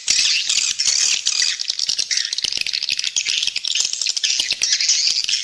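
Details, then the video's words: Swiftlet lure call for attracting birds and increasing the population: high, rattling twitters in uneven bursts, the loudness pulsing up and down, with many sharp clicks. "Suara Panggil Burung Walet"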